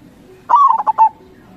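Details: Perkutut, the zebra dove, a local gacor bird meant to draw wild doves into answering, coos once: a smooth falling note trailed by three short rounded pulses, over a soft low background.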